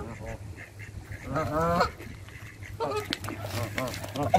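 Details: Canada geese crowd in while being fed by hand, letting out loud, nasal, rising honks in two bursts, with people talking nearby and a low, constant hum behind.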